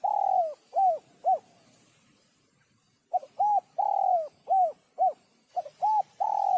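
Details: Spotted dove cooing, used to stimulate males and females: low mellow hooted notes in quick bursts, two series separated by a pause of about two seconds.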